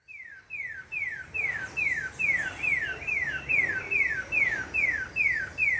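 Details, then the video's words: Sabiá thrush giving its siren song: a clear whistle slurring sharply downward, repeated two or three times a second in a steady run of over a dozen notes. "SABIÁ CANTO SIRENE"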